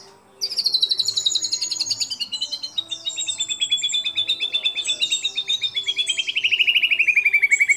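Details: Singing white-rumped shama, a training recording in which it imitates other birds such as the white-eared bulbul, cililin, lovebird and canary; high rapid trill sliding slowly downward over several seconds, with sharp overlapping notes above.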